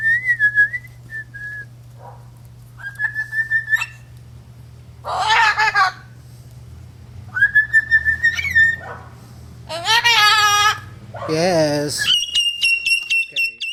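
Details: Pet Moluccan cockatoo indoors alternating steady whistled phrases with loud, harsh screeches, ending in a rapid run of piping whistle notes; a low hum underneath.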